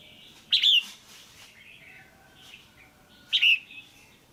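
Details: Female caged red-whiskered bulbul, calling to stimulate a male or for pairing, gives two sharp, clear double notes about three seconds apart over quiet background warbles.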